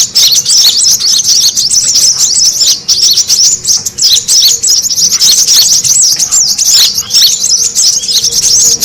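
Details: Brown-throated sunbird lure recording for drawing in birds. Piercing high twitters and rapid chip notes crowd together without a break, a frantic many-voiced chatter lasting the whole stretch.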